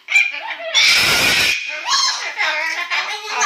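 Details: Pet yellow-naped amazon parrot indoors practising the pop song "Little Apple" while dogs protest; loud squawky, harmonic warbling phrases broken by a harsh, noisy burst in a small room.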